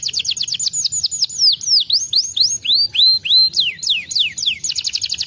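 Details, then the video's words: Gloster canary with crest singing continuously: varied rapid whistled notes that rise and drop, grouped in quick phrases, closing with a dense high trill. "gloster noz, além de bonito cantando muito"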